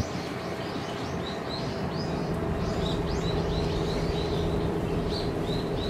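Common sandpiper giving thin, high, slightly rising piping notes in quick series, several per second, over a heavy low rumble of wind or traffic.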